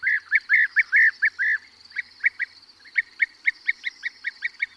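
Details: European bee-eater (Merops apiaster) perched close up giving rolling, liquid 'prruip' calls, a fast burst of about ten then a steady run of shorter notes, while others call in flight; larks and corn bunting in background.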